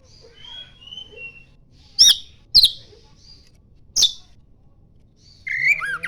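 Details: Oriental magpie-robin singing vigorously while fanning its tail, with a song that includes mimicry of the common iora: a few sharp, loud high notes spaced a second or two apart, faint thin whistles between them, and a slurred, warbling phrase at the end.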